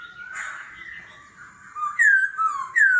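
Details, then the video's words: Laughingthrush in forest-voice competitive singing, constantly changing its voice, in the 'kéo thuốc lào' style. A blurred, breathy whistle opens, and loud clear downslurred whistles arrive near the end. "Khướu hót giọng rừng - hót đấu - đảo giọng liên tục - kéo thuốc lào"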